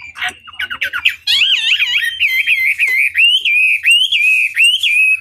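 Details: Chinese hwamei tutor song played to rouse other birds into answering: scattered short chirps, then a long, loud, wavering whistled phrase with rolling ups and downs.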